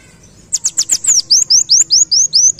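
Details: White-eye in 'ngalas' style opening with rapid sharp chips, then sliding into a steady series of rising-falling high whistles repeated about every fifth of a second.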